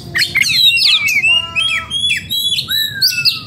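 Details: Oriental magpie-robin, in breeding condition and excited, giving clear pure whistles, descending slurs and harsh chips in a rapid varied phrase, ending on a long upslurred whistle.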